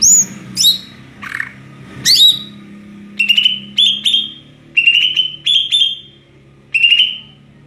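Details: Greater green leafbird with ngeplong-style song: high falling whistles and a lower dip, then a run of steady mid-pitched whistled notes in pairs, with a faint low hum behind.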